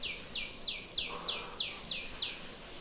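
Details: A tiny sunbird, recorded mid-April in Vrindavan, gives a rapid run of eight high, sharp notes, each sliding downward, about three per second, over a soft background hum.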